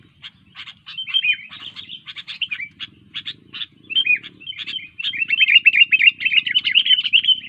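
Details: Sooty-headed bulbul in full active song, a lively run of quick chirps and slurred whistles that builds into a fast, continuous warbling chatter toward the end.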